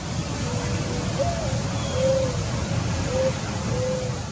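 A Mourning Dove gives soft, low, mournful coos: a rising opening note, then several drawn-out steady hoots, over a constant rushing background hiss.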